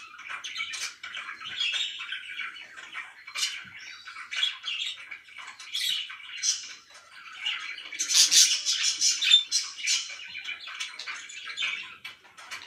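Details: Pet budgerigars at home give looser chirping with gaps between short bursts, scratchy notes and a few sharp squeaks, growing louder and denser near the middle before thinning out.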